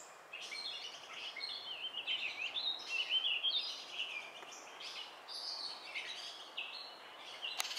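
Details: Female Baltimore oriole feeding a nestling in Kalamazoo, Michigan, on 15 June 2018: the nestling begs with a steady, high, squeaky chatter of rapid overlapping notes that rises in bursts as food arrives, over soft outdoor hiss.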